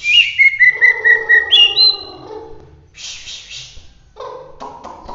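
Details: Bahorok white-rumped shama, Medan, singing vigorously in roll tembak style: a fast rolling series of evenly spaced whistled notes, then a rising sharp whistle, followed by a harsh burst and scratchy lower chatter.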